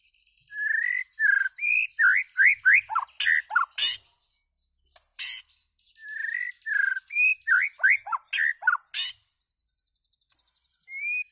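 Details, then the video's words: White-rumped shama song: rapid series of rich falling and rising whistles with sharp high notes, two bouts separated by a brief pause. "White Rumped Shama calls and singing"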